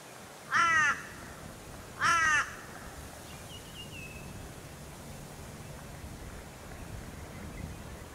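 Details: Torresian crow on Queensland's Sunshine Coast in August: two harsh, rasping caws about a second and a half apart, each with a falling, wavering tone, followed by a faint distant whistle and steady low background rumble.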